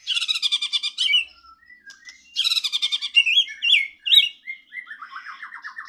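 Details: Medan white-rumped shama in loud, full song: rapid bursts of bright, buzzy chattering notes alternate with clear upslurred whistles and twisting phrases, ending in a fast, even, descending trill.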